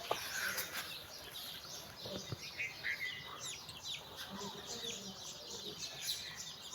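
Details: Mother hen calling her chicks for a walk, the chicks playing around her. Soft, low clucks come in short bursts among a constant chorus of high chick peeps, with occasional wing flutters and light background noise.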